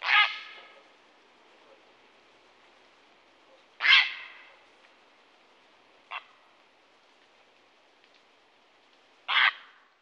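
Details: Grey heron giving harsh, broadband croaking calls, three loud bursts and one short fainter one spread over ten seconds, each a rough noisy squawk fading quickly, with quiet background between.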